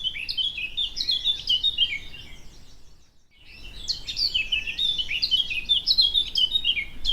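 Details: Eurasian Blackcap, a species nesting at Gibraltar Point, Lincolnshire, and favouring mature woodland, hedgerows and scrub, sings a rich, fast warble of varied fluty and scratchy notes, with a brief pause midway before the jumbled phrases resume.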